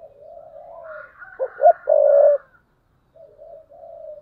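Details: Spotted dove decoy in 2022, cooing 'thúc bổi' style: a drawn-out soft coo, then a sharp loud double note and a strong sustained throaty coo, then a short pause and two quieter coos.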